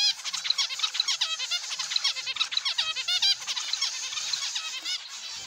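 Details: Aviary chorus of zebra finches, many short nasal, honking-toy-like notes with stacked harmonics repeated rapidly by overlapping birds.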